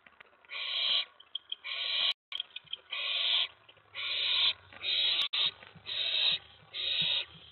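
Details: Owlet inside a nest box at night, May 19 2017, excited when an owl arrives at the tray; a rapid run of loud, rasping hiss-screeches, about eight bursts with brief clicks and dropouts between.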